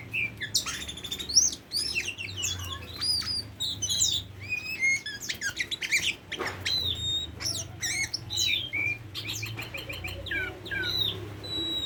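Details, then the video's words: Tame Oriental magpie-robin in an extended, varied song: loud slurred whistles, rapid trills and chirp series, a harsh broadband note midway, then quick repeated phrases to the close. "Burung Kacer Jinak"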